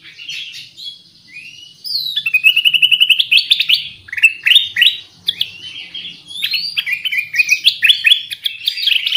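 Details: Lure recording of a black-crested bulbul, locally kutilang emas, in full song: a rising whistled slur opens, then rapid runs of sharp, bouncing whistled notes follow in uneven groups, bright and emphatic, with no other clear sounds.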